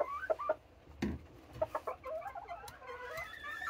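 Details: Group of serama bantam hens noisy at morning release time, giving short clucks followed by a rising, wavering string of squawky calls.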